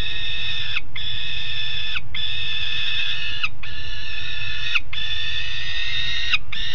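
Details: Peregrine falcon young, a pair on the grate at Alphen aan de Rijn, midday 17 June 2016: five long, even, nasal wailing calls, each about a second long and closing with a downward slur, over low steady rumble.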